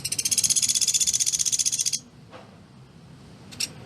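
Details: Pelatuk beras woodpecker, kept for its closely packed rapid-fire voice, giving a strong two-second high rattle that stops abruptly, followed by quiet with a couple of faint clicks.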